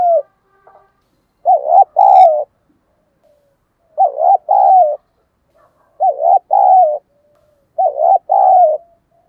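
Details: Caged decoy spotted dove with a thổ-style voice, cooing to provoke and attract wild doves: four two-part phrases, each a wavering note followed by a longer, slightly falling coo, repeated about every two seconds in a quiet setting.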